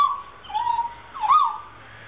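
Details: A South Island kaka, one of a breeding pair in a public aviary at Dunedin Botanic Gardens, New Zealand, playing on a chain, utters two clear, wavering whistles, the second dipping then rising.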